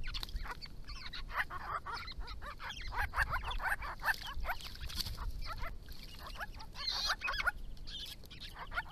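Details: Grey-crowned babblers, a family group resident on a Victoria property and roadside, visiting water between January and April to drink and bathe, calling to each other: sustained scratchy chatter with quick squeaky notes, louder bursts near the end.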